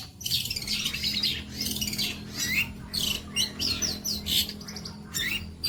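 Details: Long-tailed shrike in 'bolo panjang' tutoring song: harsh, squawky high phrases mixed with quick chirps and short downward whistles, delivered in choppy bursts over a low steady hum.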